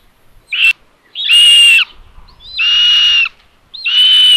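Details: Common buzzards at their nest in Tiszalök, Hungary, filmed on 27 May 2022 as the mother feeds the third chick. A brief squeal is followed by three longer, harsh, buzzing screeches with pauses between them.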